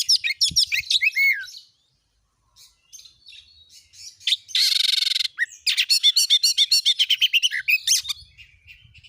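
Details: Oriental magpie-robin song meant to make a kept bird sing: quick whistled chirps, a pause, a harsh buzzy burst lasting about a second, then fast repeated staccato notes.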